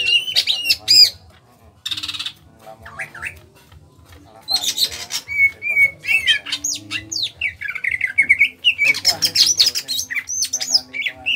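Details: Kalimantan greater green leafbird, small-bodied, in lively ngentrok singing. Squeaky whistles and harsh buzzy bursts come first, then a quiet stretch, then dense chattering, slurred notes and scratchy trills over a low rhythmic background.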